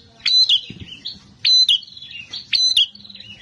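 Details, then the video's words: Bar-winged prinia, a fighter bird, repeating clear high whistled phrases with a quick downward slur, three phrases about once a second, plus softer twittering between them. "Prenjak Petarung Gacor Emosian"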